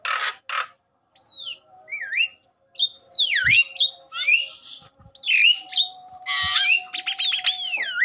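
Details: Agitated Javan myna in full song, used to stimulate other Javan mynas to sing: varied loud whistles, rising and falling slurred notes, harsh buzzy bursts and chattering phrases with short gaps, plus a faint steady hum.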